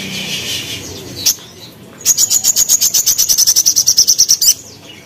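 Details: Crimson sunbird kept as a cage bird, recorded in gacor form for training, firing a sharp tembakan: a rapid, even trill of about twenty high, thin piercing notes lasting two and a half seconds after a brief buzzy call.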